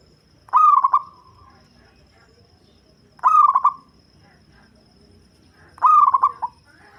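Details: A local zebra dove with a bass voice, used as a lure for catching birds, gives three bursts of fast, pulsing coo notes that trail off briefly, spaced nearly three seconds apart in near silence.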